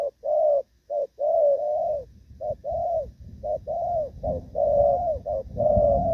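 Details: Spotted dove singing Thổ Pha-style cooing while moulting, 3 June 2024: loud, close, low hollow coos in quick pairs of short and long notes, roughly one phrase per second, with some low rumbling noise beneath.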